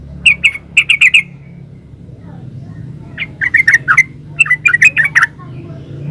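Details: Lively yellow-vented bulbul song, 'gacor ropel' type, in three short bursts of quick, bright, bubbling notes separated by brief pauses, over low steady hum.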